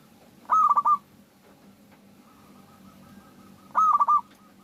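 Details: Local zebra dove used as a lure to prompt other doves to sing: two loud pulsed cooing phrases about three seconds apart, with faint soft repeated notes in between.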